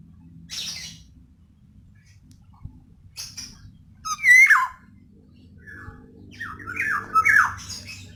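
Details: Female black-naped oriole calling to lure reluctant males to sing; scattered harsh, nasal, downslurred calls come irregularly, the loudest two around the middle and near the end, with quieter rasps and low hum between.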